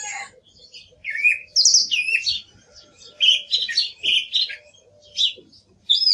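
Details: Song thrush song of varied whistled and chirping phrases, some notes given twice in quick succession, with short silent gaps between phrases.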